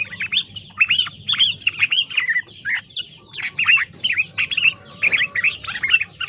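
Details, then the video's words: Song of a yellow-vented bulbul trained with green leafbird (cicak ijo) filler: lively sequence of bubbly, hooked chirps and quick slurs in clustered bursts, with brief gaps and faint background hum. "Kicau burung terucukan isian cicak ijo"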